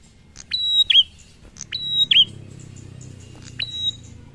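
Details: Prinia in ngalun song style that sets other prinias off: three high phrases, rising flick then long steady whistle then a dropping note, the last phrase softer, with a low hum in the background.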